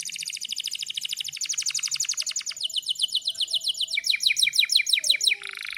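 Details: Canary trained-singing lure: long fast rolling trills of sharp chirped notes, the pace shifting and the notes turning into downward-slurred pulses, ending in a buzzy burst.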